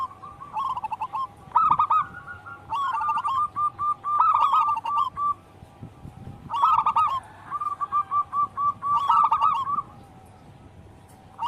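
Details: Wild local zebra dove song for luring and daily tutoring: repeated phrases of staccato coos, each opening with a quick rough burst and trailing into an even series, about one phrase every few seconds with brief gaps.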